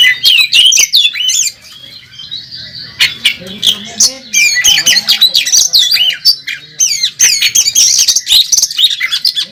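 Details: Champion Oriental magpie-robin performing at a bird contest, fighting display with full varied song: rapid squawky and whistled notes in quick bursts of three or four, with short pauses and faint voices beneath.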